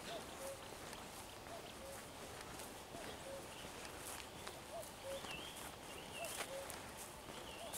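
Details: On 11 June 2023 a common cuckoo repeats its falling two-note cuckoo call about every one and a half seconds, while a common redstart sings higher warbled phrases alongside in a rural outdoor setting.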